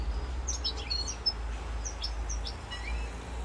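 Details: European goldfinch from Corsica, recorded 7 November 2022, giving a few quick tinkling and buzzy high notes, then a thin rising note, against constant low-frequency rumble.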